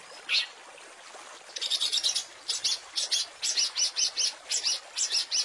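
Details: Long-tailed shrike master song with rich fill-in phrases for training songbirds: one lone note, then a fast run of harsh, buzzy, chattering bursts, about three per second, each sharp and high-pitched.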